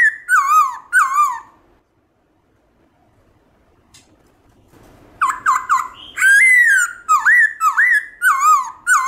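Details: Black-throated laughingthrush singing wild-voice song to stimulate pet birds: two loud dipping whistles, a pause of about three seconds, then a rapid run of short whistles, a long falling whistle and repeated swooping notes.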